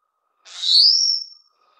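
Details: Taiwan whistling thrush (Formosan whistling thrush), a Taiwan endemic of mid- to low-elevation mountain streams and gorges, at the nest while feeding chicks; one loud, high whistle-like note, briefly noisy at onset, then a clear tone rising and drawn out, fading after about a second.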